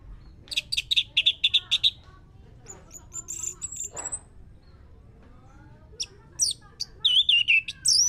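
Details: Lure song of the orange-headed thrush to get another bird singing: rapid high chattering trills, a thin sliding whistle, then more quick warbled notes, with scattered sharp clicks between phrases.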